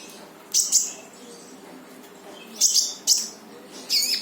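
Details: Singing brown-throated sunbird (konin), 'full tembakan', aimed at getting a mute bird to join in: four loud shrill bursts of high chirping notes separated by short pauses, over low steady hiss.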